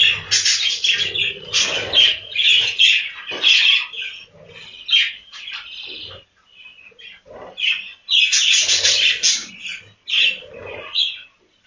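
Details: Budgerigars in a breeding room calling in uneven bursts of squawky, warbled chirps separated by short quiet spells, with a louder cluster of calls near the end.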